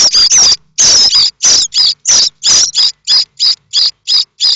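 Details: Loud, intense begging from common starling nestlings at Théding, France, in May 2024, the chicks springing up at any sound suggesting a parent bringing food. Dense, rapid harsh high rasps, overlapping at first, then separating into quick regular bursts.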